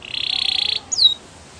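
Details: Brief canary training song fragment: a fast even trill of about sixteen pulses, then a short pause and a single sliding whistled note dropping in pitch.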